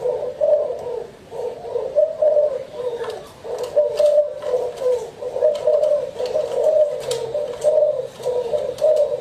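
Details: Continuous gentle cooing from spotted doves, rhythmic low hoots pulsing roughly every second, with light ticking and clicks in the background.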